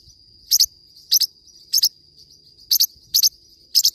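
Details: Forpus parrotlet chirping in quick paired notes, six bright high double ticks in a few seconds, with a steady high-pitched tone behind and soft low rumbles.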